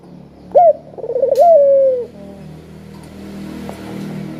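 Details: Spotted dove giving a sharp, sweet call meant to prompt lazy doves to call: a brief rising note, then a stuttering roll running into a long, gently sinking coo. A low steady hum continues underneath.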